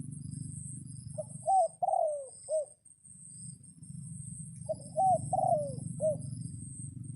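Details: Two clear crows from a red junglefowl rooster calling to wild birds in rain, each a choppy four-note phrase with a long falling third note, with a low rumbling background that drops out between them.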